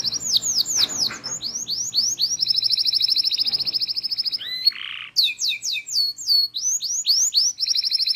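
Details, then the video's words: Local canary in full rolling song used as a training recording: loud, continuous high trills of rapid repeated notes, shifting between phrase types, with a brief lower buzzy burst midway. "FULL NGEROLL | MASTEAN KENARI LOKAL GACOR | FULL ISIAN | MASTERAN BURUNG KENARI"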